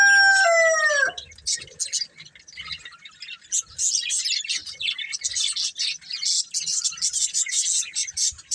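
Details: Budgerigar breeding pair: after a loud, drawn-out harmonic call sliding downward at the start, the colourful budgies take over with steady high-pitched chattering, clicky chirps and warbles in quick bursts.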